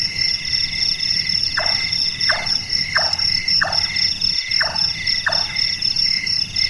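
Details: Large-tailed nightjar, Caprimulgus macrurus, a bird active at night whose voice recalls someone doing carpentry: six measured knocking notes, each falling in pitch, roughly every 0.7 seconds, over continuous high insect trilling.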